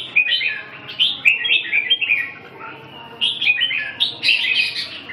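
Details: Red-whiskered bulbul delivering two bursts of bright, chattering, warbled song phrases separated by a quiet gap of about one second.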